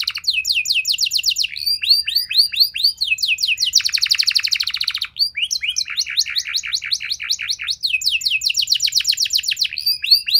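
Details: Long canary training song meant to draw replies from other canaries: rapid high trills alternate with dense rattling rolls and quick sweeping notes, all sustained without pause.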